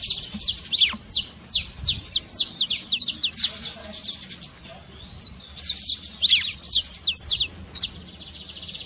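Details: Saffron finch delivering trincado song to coax a silent canary: quick series of sharp, high descending chips, about two and a half a second, with a gap near the middle before the phrases resume.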